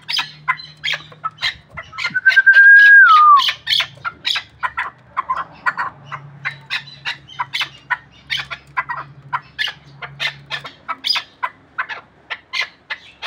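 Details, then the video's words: Hunting chukar partridge from the Pamirs calling in steady repeated clucks, roughly three per second, while a long pure whistle rises and then falls near the start; a low hum runs underneath. "Кабки Помир шикори"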